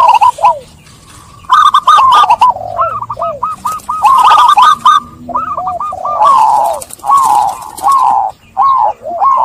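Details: Lure song of zebra doves for stressed birds: dense runs of staccato, looping coos from several doves, rising and falling, nearly continuous through the recording.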